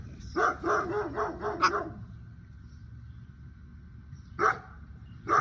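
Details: A pet cockatoo imitating a dog barks back: a quick run of five hoarse, dog-like barks, then two single barks a second apart, over a faint steady whistle-like tone and room hum.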